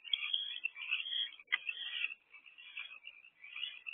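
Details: Evening rodent delivery at an owl box, 1 March 2024: continuous rough, hissing screeches with a sudden sharp click midway, then softer raspy bursts trailing off.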